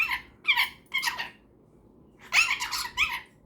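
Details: Cockatiel and superb parrot, both pets, talking before bedtime indoors: short squeaky chatter phrases, a pause of about a second, then a denser warbling burst.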